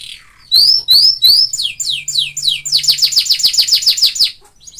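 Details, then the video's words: Canary singing kenari isian for masteran: three loud rising whistles, then falling slurs, then a fast, even rattling trill of short high notes, ending abruptly. "MASTERAN KENARI ISIAN | CANARY SINGING"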